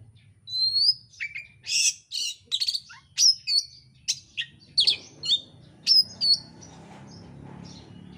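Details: Oriental magpie-robin in fast, insistent song, used to provoke another bird to sing: a rapid series of loud whistled and buzzy notes roughly every third of a second, then fading into a low background hiss.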